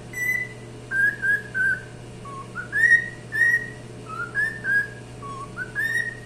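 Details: Cockatiel singing: clean whistled notes, several sliding upward and others level or slightly dipping, given in a loose melodic sequence with short pauses, above a constant low electrical hum.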